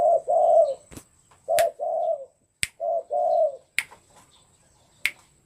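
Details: Tame spotted dove being readied for a song contest, giving low, hollow, mellow coos in paired phrases, each swelling then fading, with sharp dry clicks at intervals between phrases and a faint steady high whine throughout.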